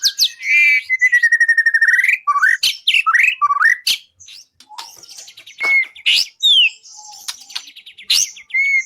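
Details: White-rumped shama (murai) song used as a training recording for songbird contests: loud, varied phrases of sweeping whistles, a long slurred falling note, rapid buzzy trills and sharp rising notes, broken by brief pauses over a quiet background.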